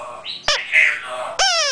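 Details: An adult pet African grey parrot talks to itself indoors in the background while baby greys are hand-fed; it is said to imitate a telephone or robot. Short bursts: a brief whistle, a sharp squawk, then a rising, voice-like note.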